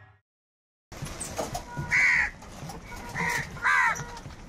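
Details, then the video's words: After a brief silence, crows fighting for food let out three loud harsh caws spaced about a second or more apart over soft background rumble. "Crow bird live crowing sounds - All types of crow sounds | Crow bird unity anger and sounds"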